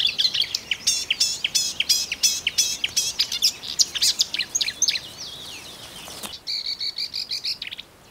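A marsh warbler sings a fast, varied run of high chattering and whistled notes, several per second, ending in a sustained buzzy trill.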